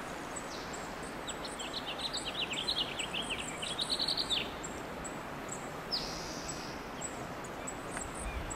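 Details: Adult male Purple finch perched on a branch, giving a quick run of short, sweet, slurred notes for about three seconds, with a few thin high chips, over steady rushing background noise.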